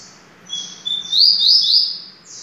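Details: Short high, clear whistle from a Double-collared seedeater, rising into a loud, buzzy, rolling warble of three or four looping notes, in the Família Sertão style of song.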